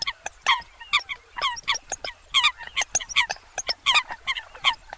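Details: Eurasian coots give sharp, bright, nasal notes with a downward twist, quickly repeated and overlapping, with a low rumble underneath.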